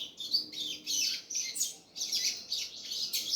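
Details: Double-collared seedeater giving a series of short, high, buzzy twittered phrases, each falling slightly in pitch, separated by quick pauses.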